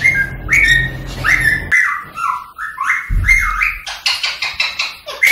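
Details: Rose-ringed parakeet, also called the Indian ringneck, whistling, singing and clicking to stimulate other parakeets to sing and mate: short bright whistled notes rising and falling, then a run of quick sharp clicks, over low rumbling handling noise early on.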